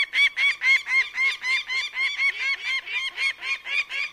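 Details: Bird of prey giving a loud, steady chatter of harsh, harmonic-rich notes, roughly four per second, keeping an even rhythm for over four seconds.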